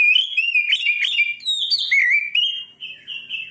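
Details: Aggressive-sounding Oriental magpie-robin song. Dense, loud warbling with rapid slurred whistles settles into steadier, softer sustained whistled notes.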